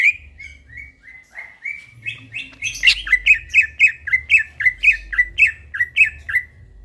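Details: Greater green leafbird singing at night: a series of whistled, slurred notes, first soft and drawn out, then louder sharp downslurred phrases repeated about every quarter second, with low hum in the background.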